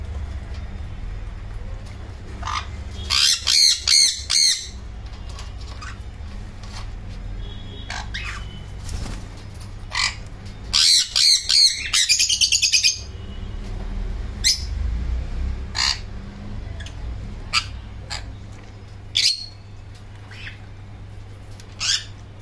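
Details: Semi-adult sun conures give harsh, shrill screeches in short rapid bursts, separated by scattered squawks.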